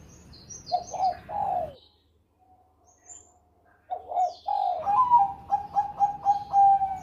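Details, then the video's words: Champion Bangkok-line zebra dove singing in the Susi Susanti cengkok style: a quick run of low rolling coos, a pause, then a longer series of bubbling coos repeated at a steady beat, with thin high chirps of other birds above. "Perkutut Bangkok Gacor Suara Merdu Cengkok Susi Susanti Juara"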